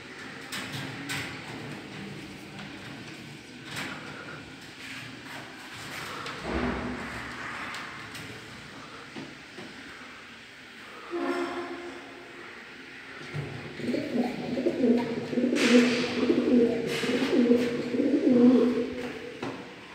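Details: A small-breed Shiraz pigeon, a domestic bird noted for calling well, gives low, throaty, rolling coos in bursts, with room noise and knocks around them.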